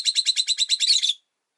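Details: A caged Rosy-faced lovebird, one of five kept by a window, gives a rapid series of about ten harsh, high chirps, roughly ten per second, ending abruptly after a second.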